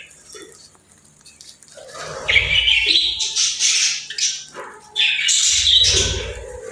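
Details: Budgerigars chirping: quiet at first, then two loud bursts of scratchy, warbling chatter with high squeaks, each with a dull low thumping beneath.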